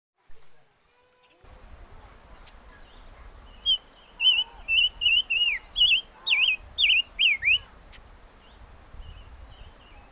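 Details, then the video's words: Chim ngũ sắc, the five-coloured bird, singing a quick run of about ten loud, wavy whistled notes that rise and fall. Quiet background hiss, and a faint low rumble after a silent start. "Suab Noog Quaj || Chim ngũ sắc hót hay"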